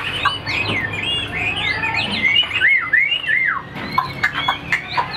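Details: Caged Chinese hwamei singing outdoors as rain threatens: a rich, fast run of loud whistled phrases, sliding up and down and linked into varied rolling figures, with softer notes near the end.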